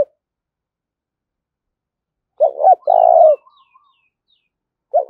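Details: Decoy spotted dove calling loudly to challenge rivals: one complete phrase of stuttered double note plus long throaty coo, with faint high chirps from another bird drifting above and the next phrase just beginning.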